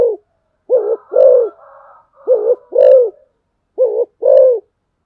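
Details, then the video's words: Decoy spotted dove calling in steady low coos, each phrase a brief note followed by a longer rounded one, repeated three times. Faint higher chirps sound between the phrases. "tiếng chim cu gáy mồi"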